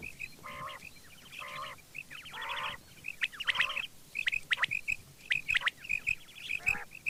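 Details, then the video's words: Quail heard in the morning giving harsh nasal squawks with layered harmonics, followed by short sharp whistled notes and clicks, over a faint background hiss. "batair Subha ki awaz | quail sound effect"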